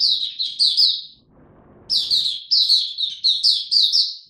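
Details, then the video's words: Caged white-eye giving its opening song in ramped-up form on 3 January 2022: rapid, high-pitched slurred chirps in two bursts split by a pause of under a second with low rustling noise. "Mata Puteh Dagger ramp up form buka tiong aw sing"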